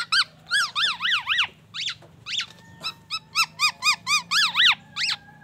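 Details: Black-naped oriole singing a song of copied oriental magpie-robin and ambulance siren sounds: quick, harmonic-rich notes that climb and drop in pitch, given in rapid bursts. A steady faint tone runs beneath, with a low hum in the background.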